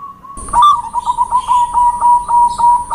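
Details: A zebra dove in full lure song: fast, slightly uneven series of short warbled coo notes, about three per second, on one steady pitch, with a high constant whine and a faint click at the start.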